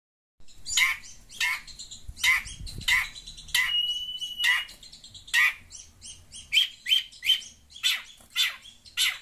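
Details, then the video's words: Long-tailed shrike, chattering while reacting to sounds from a phone: loud harsh rasping notes repeated about every half second, with a steady whistled tone held for about a second in the middle. "Burung pentet cerewet dengar suara hp"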